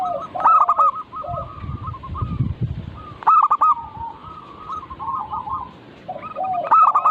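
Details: Several local zebra doves in a lure recording for training birds to sing: loud trilled coo bursts near the start, middle and end, softer quick notes between them, and a low rumbling noise early on.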